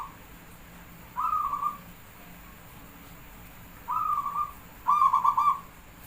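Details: Javanese zebra dove song: three rolling, pulsed coos, each made of quick beats, spaced a few seconds apart, the last one louder and more clearly knocked; quiet background.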